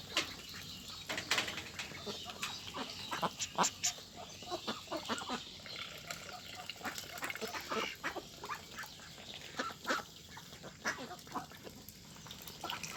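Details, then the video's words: Large flock of meat ducks on a rice field farm, a dense chatter of many short quacks from several birds at once, fairly distant, over continuous background noise. "Duck Sound"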